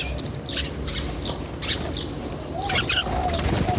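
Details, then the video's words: Birds chirping in a natural setting: quick high chirps repeat rapidly in the first half, then a brief cluster of sharper twitters, with a steady low hum underneath. "The chirping of birds in nature is very relaxing"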